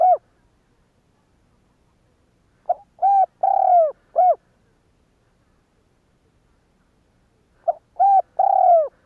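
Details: Kept spotted dove (cu gáy) decoy, called to provoke other doves to coo: three low hooting phrases, each a short pickup note then two to three mellow coos, the longest drawn out and falling, separated by silent pauses.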